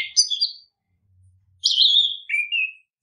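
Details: Orange-headed thrush singing to prompt other birds into song, giving two loud, rich whistled phrases with a falling, slurred ending, separated by a short silent gap.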